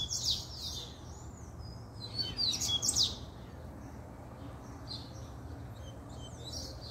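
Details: Male double-collared seedeater in fiery form giving a puxada-style song: bursts of sharp, high whistled notes and quick chirps near the start and around two to three seconds, quieter scattered notes after, over a low steady hum.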